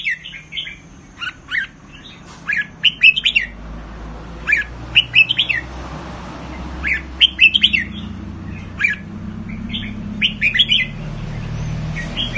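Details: Caged red-whiskered bulbul from Thailand, a bird kept for counted-phrase singing, delivering short bright warbled phrases of slurred whistled notes, several each second in bursts with brief pauses; low background hum.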